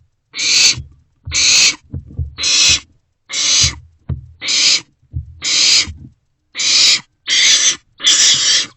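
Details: Barn owlets in a nest box at night, around 2 am on 27 March 2024, sharing a vole and passing it back and forth; harsh hissing screeches in bursts about half a second long, repeated roughly once a second, with low thumps and shuffling.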